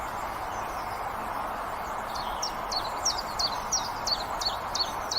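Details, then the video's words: Common chiffchaff starting faint and distant, then a clear series of high, quick, down-slurred chips, about three each second through the last three seconds, against a steady low rumble of background noise. "Chiffchaff Sounds"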